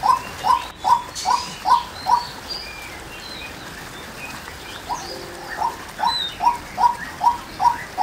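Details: Female white-breasted waterhen gives a series of clipped, repeated notes, then a pause of about two seconds, then resumes the same steady rhythm. Other birds chirp faintly in the background.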